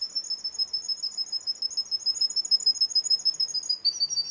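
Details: Russian canary in a singing contest rolling out a rapid, very regular high trill of about three pulses per second, sustained steadily for over four seconds.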